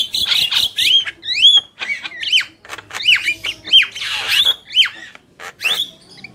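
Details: Javan myna pair, male and female, in vigorous song: loud rising-then-falling whistled notes repeated roughly every half second, mixed with raspy squawks and harsh noisy bursts.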